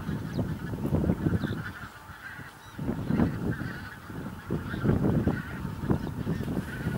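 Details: Bean geese, a flock of a couple of thousand in a field on Texel, Netherlands, 22 November 2014; a dense chorus of overlapping nasal honks and cackles, with a steady low rumble of wind or engine underneath.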